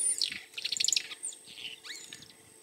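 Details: Male White-browed Sparrow-Weaver in Meru National Park, calling out for potential mates while he keeps building his nest: a quick burst of bright, chirpy notes, then scratchy whistles and a rising, slurred sweep near the end.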